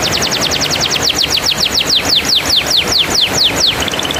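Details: Canary song used as a lure to prompt a silent canary to sing: a fast series of bright downslurred notes, about two per second, sweeping down between high and mid pitch, over steady low background hiss.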